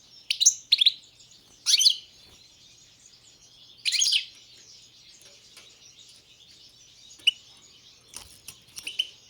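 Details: European goldfinch, Balkan carduelis balcanica, uttering scattered bright chirps and short twittered bursts over a faint background hiss, with several isolated sharp notes near the end.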